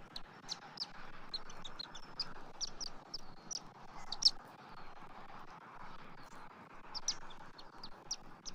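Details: Bald eagles at their nest with a young chick on a morning of feedings and nest-material deliveries, 3 January 2024; high, thin chirps in quick clusters, some sharper and louder, over a low steady background hum.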